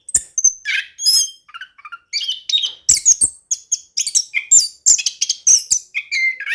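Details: Orange-headed thrush singing in rolling 'ngerol' style, used as a lure for thrushes slow to sing: rapid, varied run of high squeaks, whistles and chattering notes in quick succession, with short gaps between bursts.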